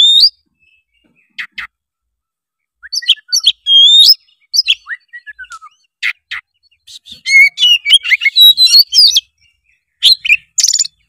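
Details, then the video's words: Oriental magpie-robin, a young spotted-plumage bird, in loud, energetic song used to encourage a lazy juvenile to sing: scattered sweeping whistles and slurred notes, then a dense burst of varied warbled phrases before sparse high notes at the end. "suara kacer gacor ngeplong pancingan kacer malas trotol menjadi gacor"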